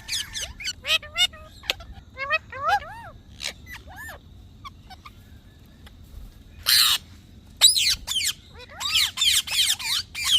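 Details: Parrot producing scattered speech-like warbles and clicks, with loud harsh squawks in the second half and dense chattering toward the end.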